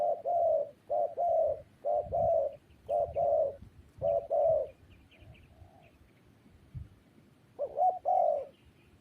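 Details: Spotted dove cooing in repeated two-note phrases, mellow and hollow, then a pause and one final phrase. Faint twittering from other small birds sounds in the background.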